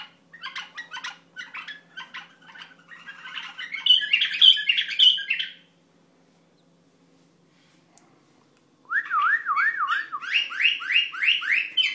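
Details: Song of an Iraqi bulbul: stuttering chirps build into a loud warbled burst, then a few seconds of silence, followed by a wavering, yodel-like trill and a series of repeated rising whistled notes.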